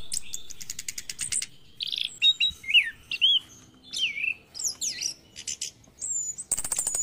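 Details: Orange-headed thrush song in the morning, used to stimulate caged birds to sing. Varied, rapid phrases mixing buzzy rattles, quick trills and clear whistled slurs, with bursts of dense high chatter at the start and end.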